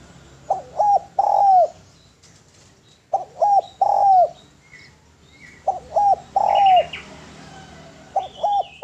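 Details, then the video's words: Spotted dove cooing, with low soft phrases of three hooting notes, the last longest, repeated about every two and a half seconds, over faint high chirps from other small birds. "SUARA DERKUKU GACOR SUARA MERDU BERSIH MEWAH MASTERAN TEKUKUR PALING DICARI"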